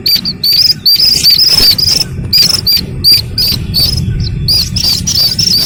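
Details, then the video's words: Shrill repeated peeps from a Slaty-legged crake chick, short high squeaks with a little upward flick, delivered in quick irregular runs of two or three, with a low murmur in the background. "Suara anak Burung Sintar MP3 || Slaty-Legged crake"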